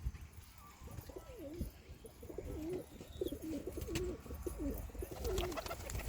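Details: Pigeons in a village in Maharashtra, India, some entering their shelter; a steady run of low, rolling, throaty coos repeated about every second, with faint clatter and a brief high bird note.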